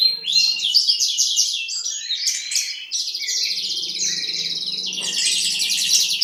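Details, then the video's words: Horsfield's bushlark of East Java, called an eager singer, gives quick twittering phrases that run into a long, buzzy, rapid trill, with a faint low hum underneath. "Branjangan Jatim 10 rajin Kicau"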